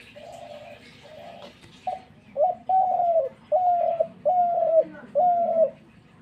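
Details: Dove cooing in a steady series of about seven mid-pitched, drawn-out coos, each about half a second long. The first few are soft and muffled, and the later ones are louder and slightly falling at the end. A low background hum is present.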